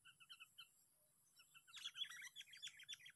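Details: Sooty-headed bulbul heard while being lured at a park on the sixth day. Spaced, paired chirps come first, then a fast, dense run of sharp repeated chirping notes, about four a second. Faint low hum underneath.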